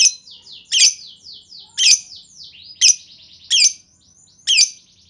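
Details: Lovebird in 'ngetik' lure song aimed at drawing long chatter from others: about one loud, piercing chip per second, with strings of rasping, downslurred buzzy notes filling the gaps.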